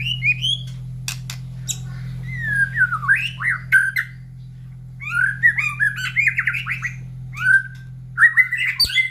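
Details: White-rumped shama kept in a cage, singing after its morning feed beside cages of other breeding birds that reply. Twisting whistled phrases with fast trilled sections alternate with short pauses, over a steady low hum.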